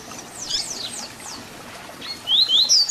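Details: Double-collared seedeater (papa-capim) giving its 'Tui Tui Zel Zel' song, played for young birds to learn: soft descending high slurs, a pause, then loud clear rising whistles toward the end.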